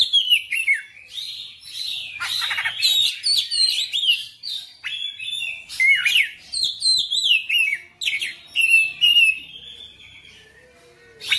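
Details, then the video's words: Oriental magpie-robin, described as a persistent, gacor singer opening its full repertoire, delivering a rich, varied song of whistled, sweeping and rising notes and quick chirps in rapid bursts with brief pauses. "KACER NGOTOT GACOR FULL BONGKAR MATERI"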